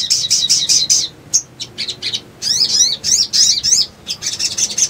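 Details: Little spiderhunter (sogon) recording used as a lure for trapping birds: rapid series of sharp, high chirps and buzzy zigzag trills, delivered in bursts with short pauses, bright and piercing throughout.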